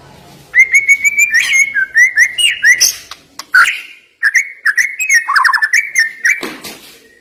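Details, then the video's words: Murai batu song full of rapid whistled notes and quick slurs, broken by harsh short bursts and a brief gap before resuming the fast whistled phrases. "Isian Murai Batu Ini Nembak Tajam"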